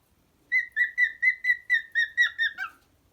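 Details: Pet cockatiel singing: a run of about ten clear, slightly wavering whistled notes of even pitch, delivered quickly at roughly four per second, with bright overtones and a quiet background.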